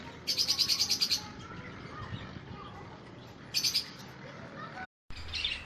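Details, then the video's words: Budgerigar producing fast trains of rapidly repeated high chirps, a long burst followed by a shorter one, then a softer chirp after a brief dropout. "Australian bajri parrot"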